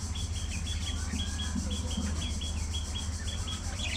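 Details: Short, high, clipped chirps from a social colony of budgerigars repeat in a quick, fairly even series about every third of a second, backed by a steady low hum.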